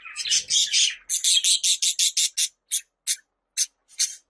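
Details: Pet budgerigar calls used to draw in other budgies: a scratchy warble followed by a rapid train of high harsh chirps that thins out into isolated notes.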